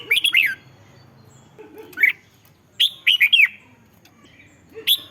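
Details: Caged red-whiskered bulbul song for exciting caged birds: fluty, warbling phrases of quick slurred notes, mixed with single whistles and a few softer low notes.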